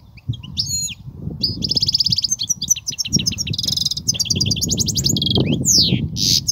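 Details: Full-voiced European goldfinch song of the 'kobia' style, a lively run of twitters, buzzy rattles, trills and downslurred whistles flowing almost without pause for over six seconds, backed by low rumbling noise.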